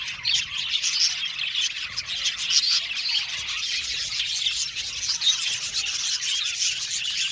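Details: Aviary colony of budgerigars producing a busy wash of high chirps and warbling twitters, with some sharper squeaky notes standing out near the middle, unbroken for the whole stretch.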